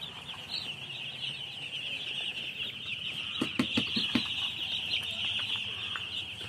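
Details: A crowd of baby chickens keeps up constant shrill peeping, overlapping chirps without pause, with a short burst of light knocking sounds midway.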